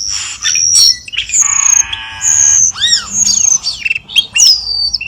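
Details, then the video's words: Cucak keling lure sound, played to prompt kept birds to sing: high whistled notes, a buzzy harmonic rattle, and arched down-slurred chirps in quick varied sequence. "SUARA PIKATAN BURUNG CUCAK KELING"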